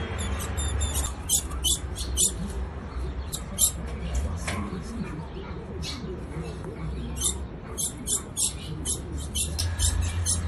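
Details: Female ultramarine grosbeak calling to rouse the male: short, sharp, high chirps in irregular bursts, sometimes doubled, with a low steady hum underneath.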